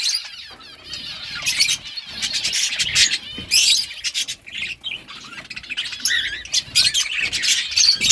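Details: Chirping budgerigars give sharp high squeaks and warbled, wavering notes in uneven bursts, separated by short lulls, with some soft flutter-like rustles between the calls.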